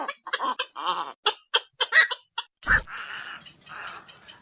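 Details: Night heron giving rapid, harsh, clucking croaks in an irregular run. A loud sharp knock is followed by a longer, rough, hissing squawk that fades into a grating murmur.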